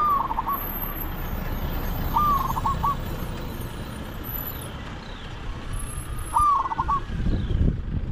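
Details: Three rolling coo phrases from a spotted dove during decoy luring of wild doves, each a sliding note breaking into rapid pulses, set against continuous hiss, faint high-pitched tones and low rumble.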